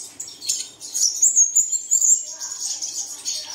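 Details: Morning lure song for caged birds: high chirps building into a quick trilled burst of sharp notes, then trailing into softer twitter.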